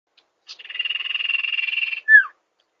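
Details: Sirpu or sirdung bird sound used as a lure: a single high, buzzy, rapidly pulsed trill lasting about one and a half seconds, followed by a sharp, down-slurred whistled note, in a silent background.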